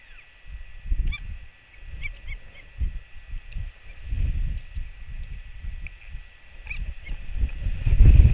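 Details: A Northern royal albatross chick on 24 June 2008 greets its returning mother with a low, honking skycall in a run of rough, repeated bursts over heavy wind rumble.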